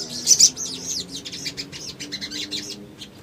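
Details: Little spiderhunter sings as bait for other birds, opening with loud, piercing chirps followed by a string of arched, slurred high notes that fade to softer twitters.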